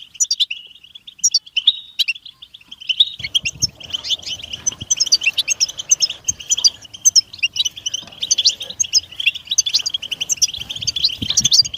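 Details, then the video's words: Continuous twittering song of a European goldfinch, quick chattering notes with high sparkling accents, over a low background hum that begins after three seconds. "Best beautiful stimulation of européen goldfinch"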